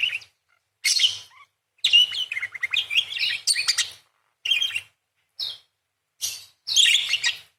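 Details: Energetic parakeet singing 'nembak' and 'crecet' material: rapid chatter of buzzy chirps and bent whistles in one long burst, followed by short separate squeaks spaced about a second apart, then a final scratchy twitter.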